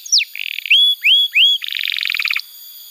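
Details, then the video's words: Canary in full song, used as a tutor recording for young canaries and to prompt silent ones: a falling whistle, a buzzy stutter, three rising slurred whistles, then a fast rattling double-toned trill. "Pancingan Suara Kenari Gacor‼️ Ampuh untuk Masteran Kenari Muda dan Terapi Kenari Macet Bunyi"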